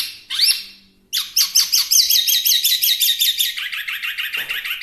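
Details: Chinese hwamei (wambi mini) opens with an upward whistle, pauses, then delivers a fast even series of buzzy chattering notes, about three per second.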